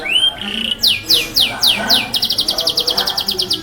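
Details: Loud song of a Yorkshire canary, compared to a lion's roar: a rising whistle, a short held note, a run of bright downslurred notes, then a quick, evenly pulsed high trill.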